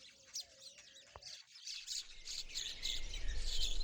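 Lovebirds giving shrill, scratchy chirps in quick uneven bursts, about three a second, over a steady low rumble and handling noise.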